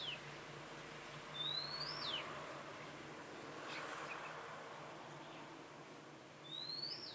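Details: Red-whiskered bulbul kept as a trapping decoy, recorded 27/10/2017: repeated high whistled phrases that glide upward and drop sharply, roughly every four to five seconds, over a steady low hum and soft background noise.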